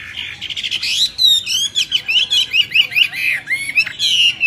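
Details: Myna singing: a rapid, varied run of squawky notes and sharp whistled upward and downward slurs, packed into short bursts with brief gaps, clear and loud with little background.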